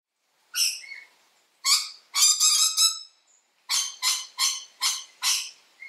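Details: Mitchell's lorikeet giving harsh, grating screeches, about a dozen sharp notes in six seconds, some run together in quick bursts; such loud, constant calls keep the flock together.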